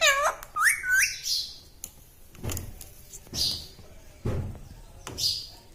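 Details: Pet green parrot talking in human-like words: a few short, sliding, high-pitched syllables in the opening second, then quiet clicks and knocks indoors.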